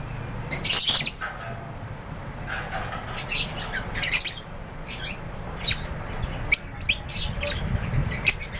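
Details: Lovebirds in an aviary giving scattered sharp, shrill chirps and short squawks in spaced bursts, separated by quieter gaps with low rumble.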